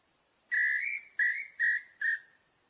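Small-billed tinamou giving four clear, slightly rising whistled notes, each shorter than the last, about half a second apart, over a steady high insect hum.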